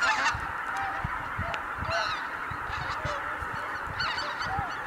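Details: Greater white-fronted geese, a whole flock taking off at Kabukuri-numa, Japan, 12 January 2019. Loud, varied honks and laughing yelps over a dense chorus, several bursts of stacked calls around two and four seconds.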